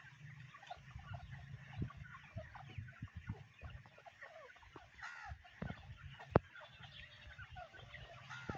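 Grey francolin giving soft, irregular clucks and short chattering notes, a few with a nasal ring, over a steady low rumble.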